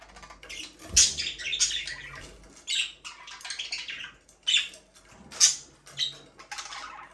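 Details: Budgerigar chatter meant to comfort a lonely bird, with scratchy warbling chirps and sharp squeaks in clustered bursts and a faint water-like rustle in the background.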